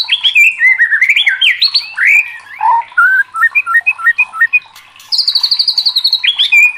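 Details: Agitated white-rumped shama kept as a contest bird, delivering loud whistled slurs that rise and fall, a string of short clipped notes, then a sustained rapid high trill near the end.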